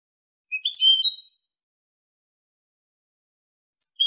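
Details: Malaga-style European goldfinch song fragment used to tutor young goldfinches and hybrids: a brief bright, jumbled twittering phrase, long silence, then another phrase starting at the very end.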